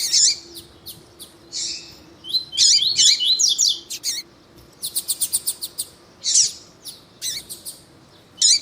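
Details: Caged rusty-collared seedeater male singing with a female calling, to stimulate another male; varied high twittering phrases, a quick burst of evenly repeated chips, and scattered loud slurred notes over a faint low hum.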